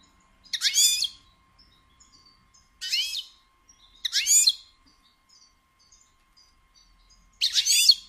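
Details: Batbata of a female European goldfinch, used to prompt males into song and mating: four loud, buzzy, rasping bursts, each about half a second long, separated by quiet stretches holding faint high ticks.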